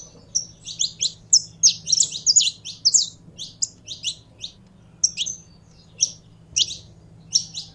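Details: Saffron finch, a kept bird being warmed up to sing: rapid strings of bright, high chirped notes in clusters, then more spaced single and double notes toward the end, with a faint steady hum.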